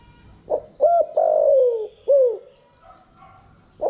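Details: Spotted dove calling as a training decoy: a short coo, then drawn-out hoarse notes that slide downward, a curved falling coo, and a final short note, with a continuous faint high tone in the background.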